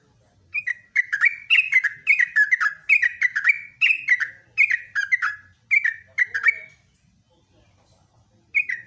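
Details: Yellow-vented bulbul singing actively in the morning, a rapid continuous 'ropelan' song: bubbly, liquid phrases of short slurred notes, each dropping slightly, repeated in a quick chattering series for about six seconds, then a pause and one more phrase.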